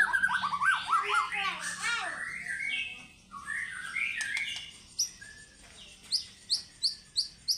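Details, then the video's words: White-rumped shama in fighter-style singing, a rich varied song of whistled phrases and warbles around mid to high pitch, ending in a series of sharp upswept notes repeated about every half second. "MURAI BATU GACOR FIGHTER BONGKAR ISIAN"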